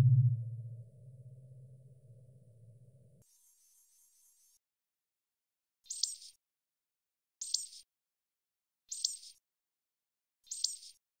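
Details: European robin song motif, one of nine from a single strophe, heard first stretched low and slow, then at natural speed as a short, high, sharply descending trill. The natural-speed trill repeats four times, about every one and a half seconds, in silence.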